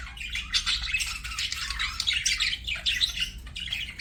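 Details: Continuous budgerigar warbling, dense twittering and squeaky chirps running without break, faint hum below.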